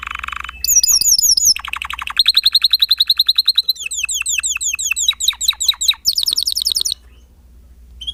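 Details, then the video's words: Spanish timbrado canary singing a sequence of rapid trills and rolling tours, moving from low to high pitch, with swooping repeated notes and a high fast trill near the end, over a soft low hum. "Kicau Kenari Timbrado Espanyol"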